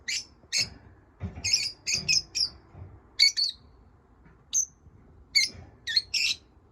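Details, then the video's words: Pet lovebirds chirping at home: a series of short, high, piercing chirps, some doubled, spaced roughly every half second. "My love birds chirping"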